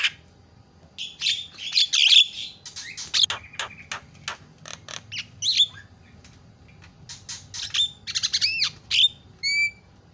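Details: Scratchy chatter, sharp clicks and rasps mixed with looping whistles, ending in a few bright whistled notes, from a Javan myna played as a lure to make other birds call. A low rumble runs underneath.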